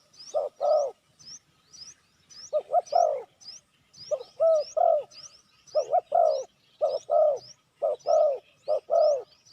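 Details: Spotted dove lure call for attracting wild doves: rhythmic groups of two or three soft, arched coos repeating steadily, with a background of high, repeated upslurred chirps from another bird.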